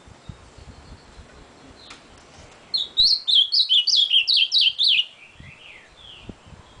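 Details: After a soft, quiet lead-in, an ultramarine grosbeak bursts into a fast run of loud, clipped whistles that zigzag up and down about four per second, then trails off into fainter slurred notes.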